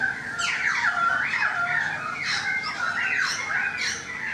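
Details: Currawong singing near a balcony: repeated arching whistles that rise and then drop, roughly one phrase every second, with sharp upper overtones on each note.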